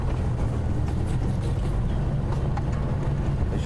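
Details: Steady low engine rumble from a safari vehicle with occasional voices; no animal sounds.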